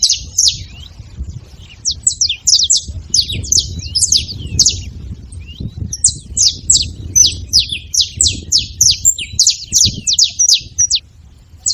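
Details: Saffron finch making noise at a feeder, a run of quick high descending chirps that pauses briefly midway, then resumes in a brisk regular series; low background rumble throughout.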